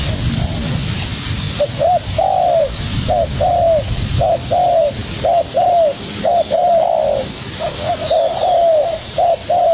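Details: Young wild spotted dove calling vigorously against a decoy bird: short, hollow coos in pairs and triplets, each slightly rising then falling, repeated about once a second over a low rumbling background.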